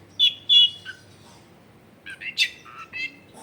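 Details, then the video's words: Long-tailed shrike used as a lure for shrikes that will not sing: a few loud clear whistled notes, a pause, then a cluster of varied chattering and squeaky phrases. "SUARA BURUNG CENDET GACOR PANCINGAN CENDET MALES BUNYI"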